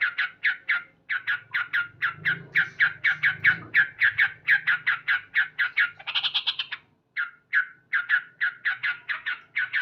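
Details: Morning calling from a loud male yellow-vented bulbul, steady fast series of scratchy 'cuk' notes, one higher rattling burst near the end, a low hum in the background early on.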